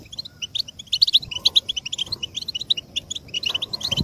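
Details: Goldfinch chatter said to speed up male conditioning: busy, bright twitter of rapid short notes, strongest around the first half, with a muffled low rumble near the end.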